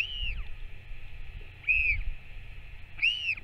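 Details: Northern royal albatross recorded 21 May 2024 as a parent returns to feed its chick; three high, arched whistled notes spaced about a second and a half apart over low rumbling background noise.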